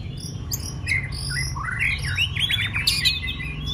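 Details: White-rumped shama in contest training, a quick burst of sliding whistles and chirps that builds into a dense, loud twittering flourish, over low background hum.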